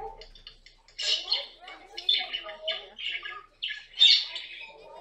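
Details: Pet caique parrot lets out about five loud, harsh screeches, each a rough burst roughly a second apart, the last the loudest, amid funny moments with the bird.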